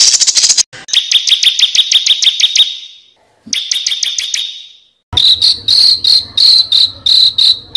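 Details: Master training song for competition birds: a burst of high rattling notes, then rapid high chips that fade, a repeat of the chips, and finally loud, clipped, repeated notes. Sections are cut sharply together.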